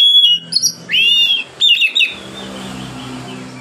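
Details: Relaxed song of an oriental magpie-robin, used to prompt other magpie-robins that are unwilling to sing; rapid loud whistles and rising slurred notes over about two seconds, then steady background hum.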